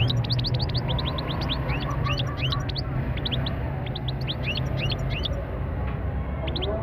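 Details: Rapid liquid twittering from a European goldfinch, dense clusters of quick rising notes and a few buzzier touches pouring out almost without a break above heavy low background noise.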